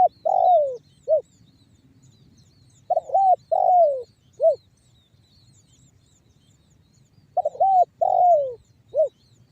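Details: Spotted dove (tekukur) banggo bocor lure call for drawing calls from other doves: three-part cooing phrases, a hiccuping start, a drawn falling coo and a short last note, repeated roughly every four seconds.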